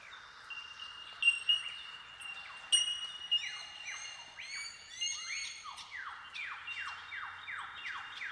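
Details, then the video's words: A chorus of Bell Miners in tall eucalyptus forest in Watagans National Park, NSW, Australia: clear, ringing 'tink' notes from several overlapping birds in a colony, over a run of quick, repeated downslurred calls. "The tinkling calls of Bell Miners"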